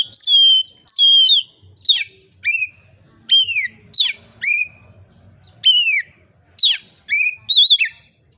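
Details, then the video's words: Oriental magpie-robin singing clearly and calmly to provoke other magpie-robins to sing. About a dozen loud, sharply downslurred whistled notes come singly or in pairs, separated by brief pauses, over soft low thumps. "kacer gacor ngeplong santai, sangat cocok memancing kacer lain bunyi dan gacor"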